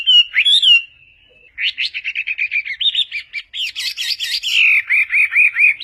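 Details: Chinese hwamei song with varied phrases for training other birds: a rising-falling whistle, a brief pause, then fast stuttering notes building into rich, looping whistled phrases.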